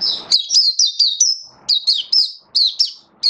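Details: Caged oriental white-eye singing in a booster product test, a lively string of high, clear, down-slurred whistles delivered rapidly in two bursts with a short break between, in a quiet setting.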